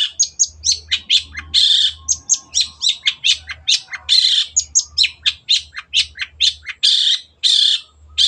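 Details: Rapid long-tailed shrike song for tutoring caged birds, made of short sharp chips and harsh rasping bursts repeated in quick succession for over eight seconds, with a faint low hum.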